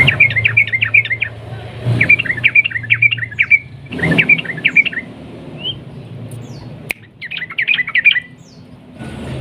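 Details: Sooty-headed bulbul in full song, a long rapid 'ropel' trill style used to provoke other bulbuls into singing: fast bursts of chattering, warbled notes repeated in three to four runs separated by short pauses, with faint background rumble.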